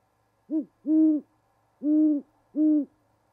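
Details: Winter mating-season duet between a pair of great horned owls at an osprey nest in Charlo, Montana, picked up by a live nest camera. A brief low hoot is followed by three fuller, steady hoots.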